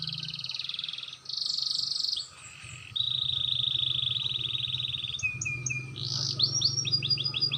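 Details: Canary learning to roll sings clear, fast trills and a long steady roll, then bursts into bright descending whistled notes, over a constant low mechanical hum.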